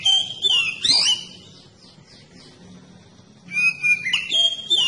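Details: Oriental magpie-robin song for stirring other magpie-robins to sing: a burst of whistled slurred notes, a softer stretch of faint chirps and hum, then renewed clear whistles with sharp sweeps.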